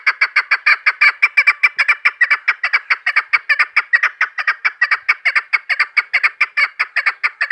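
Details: Female chukar partridge used as a hunting caller, continuous loud chuk-chuk clucking about two to three notes per second throughout, slightly uneven rhythm, no other sounds.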